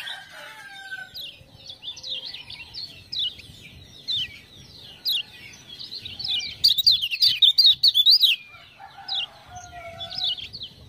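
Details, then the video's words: Lemon-bellied white-eye tutor song, coaxed by ciak-ciak calls: steady high zigzag chirps about two or three per second, a denser louder burst near the end, and faint low whistles beneath. "Kecial Kuning joss gacor"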